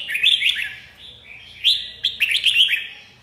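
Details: Red-whiskered bulbul singing: a run of bright, slurred whistled notes rising and falling, with louder warbled phrases after a brief lull in the second half; quiet background.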